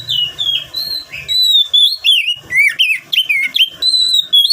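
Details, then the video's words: Oriental magpie-robin song serving as a lure for wild-caught birds: sustained high whistles followed by a varied series of swooping, slurred notes, with faint low thumps at the start. "Kacer Gacor Buat Pancingan Kacer Bahan Agar Cepat Bunyi"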